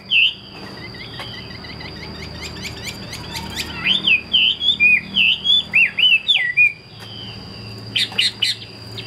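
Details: Caged Chinese hwamei, a fighting bird, opens with quick ticking notes and then sings a run of loud looping whistles, about eight rolling phrases in a row. A brief harsh burst follows, over a constant thin high tone.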